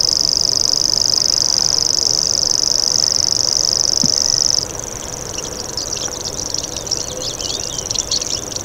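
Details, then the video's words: Common grasshopper warbler's insect-like high reel lasting about four and a half seconds, then stopping abruptly, after which a chorus of varied chirping from other birds fills the rest. "Common Grasshopper Warbler Call"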